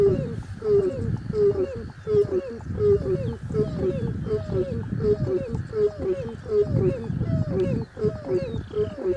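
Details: Crowned crane in a long, fast run of short honks and low booming pulses, notes coming in quick pairs at an even pace; soft high bird whistles faintly heard.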